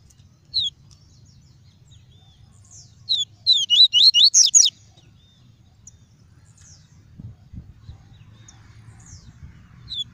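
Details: Caged double-collared seedeater's clean tuí tuí song for stimulating males and training young: scattered single high whistles, then a dense run of about eight rising, slurred notes near the middle.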